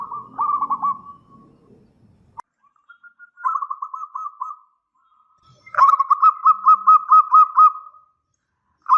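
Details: Local zebra dove in full loud song, meant as a lure for a reply: separate phrases of quick, bubbling coos, the last a long even trill of about ten pulses, with a faint click and short pauses between.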